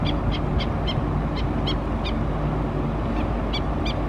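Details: Black-necked Stilt mother giving an alert call of sharp, high yipping notes in quick runs of three or four, about three per second, as chicks forage, at Oso Creek, Laguna Niguel, California, April 29, 2017, over low wind or traffic rumble.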